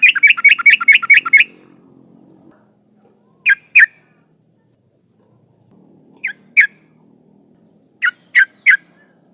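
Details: Female sooty-headed bulbul in breeding condition calling to males, used as a lure for rivals: a fast chattering run of bright notes, then pairs and triplets of sharp chirps separated by pauses, with a faint low hum.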